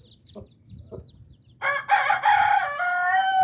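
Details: Chicken family of a hen and nine chicks: a few high chick peeps and soft clucks, then a sudden loud, drawn-out, harmonic squawking call fills the last two seconds.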